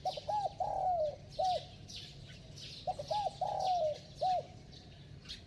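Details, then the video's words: Bell-voiced spotted dove giving rapid, urgent cooing. Two identical phrases about three seconds apart, each with short rising-falling notes, a drawn-out sliding coo and a clipped ending note. Other small birds chirp in the background. "Tiếng Chim Cu Gáy Giọng Chuông, Kèm Thúc Gù Tốc Độ II Kích Bổi Lâu Nổi"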